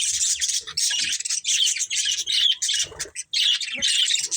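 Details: Budgies in a family group keep up almost unbroken loud, buzzy warbling chatter, broken by brief pauses and soft thumps.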